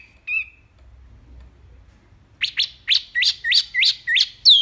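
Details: Wambi mini song recorded as tutor material for cage birds; a single short whistle, a quiet spell with low background rumble, then a steady series of upward-flicking sharp notes about every third of a second.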